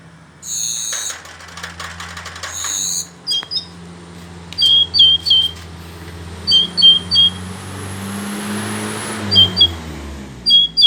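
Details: Hill blue flycatcher singing: short high whistled notes in clusters of two or three, sliding and sweet, with pauses between phrases; a low steady hum and a brief rattling noise early on.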